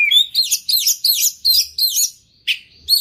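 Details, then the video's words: Singing oriental magpie-robin (kacer) in lively full song rich in imitations: about six evenly spaced, looping high whistled phrases in quick succession, then a pause and two sharper notes. "kacer gacor full isian"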